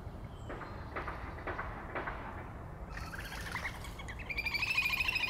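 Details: Little grebe (Tachybaptus ruficollis) feeding young, three chicks hidden under its wings: soft notes repeated about every half second, then a high, rapid whinnying trill growing louder toward the end.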